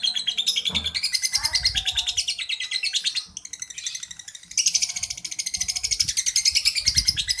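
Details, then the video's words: A prize-winning lovebird delivering ngekek, rapid harsh repeated notes in long rattling runs, dipping briefly in the middle before a louder burst resumes, with soft low knocks in the background. "kicau lovebird ngekek juara"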